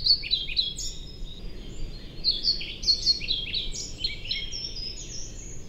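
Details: A European pied flycatcher sings a clear, rhythmic song of about two seconds, quick high thin notes with short pauses between them, jumping up and down in pitch like hopping from one leg to the other; it sings fairly often and loudly.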